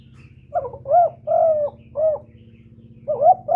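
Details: Spotted dove calling continuously to lure wild doves: rounded, mellow coos in short two- and three-note phrases with slightly rising then falling notes, over a steady low hum.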